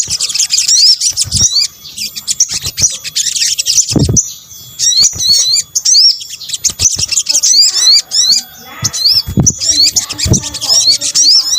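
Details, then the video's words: Combined sunbird calls used to lure birds: bursts of rapid, high-pitched twittering and sharp upswept chirps, separated by brief pauses, with occasional low knocks and bumps in the background. "PANCINGAN SOGON BUNYI AMPUH | kombinasi suara sogok ontong"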